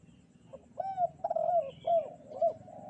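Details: Spotted dove in full kuk 2 song on a clear morning. A soft lead-in note gives way to a run of four mellow, arched coos spaced about half a second apart, with a steady low hum underneath.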